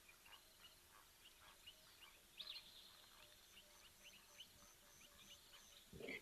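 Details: A Sombre Greenbul calls in the distance in African wildlife habitat with faint, high whistled notes over a soft background hiss.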